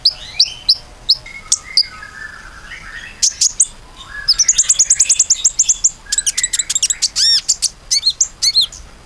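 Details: Common iora lure song for getting other birds to sing: scattered high chirps, then a long fast run of rapid high notes and ringing, arched whistled calls repeated quickly.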